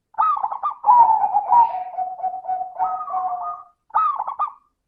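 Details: Loud, close zebra dove song in 'crystal' voice style, a lure for doves reluctant to sing: trilled opening, long sequence of rolling coos on two pitches, then a closing bubbling trill.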